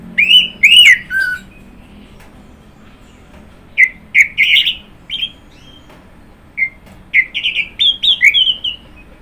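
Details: Orange-headed thrush song of loud whistled phrases separated by short pauses, the notes sliding and warbling, with later phrases quickening into a varied, tumbling sequence of clear whistles.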